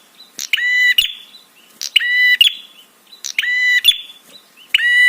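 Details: Prinia therapy call meant to provoke other birds into responding and arousal: harsh, buzzy, strongly harmonic bursts of about half a second, four given with short gaps between them.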